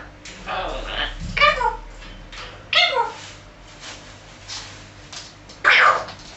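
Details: African grey parrot indoors making mimicked belching and shooting noises: rough bursts and sharp sweeping squawks, a louder harsh call near the end, with a low electrical hum behind.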